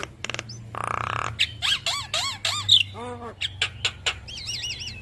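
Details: Caged Javan myna song used as a master recording: a buzzy burst, then arched squeaky whistled notes, a descending series of stacked tones and wavy high whistles, interspersed with clicks over a steady low hum.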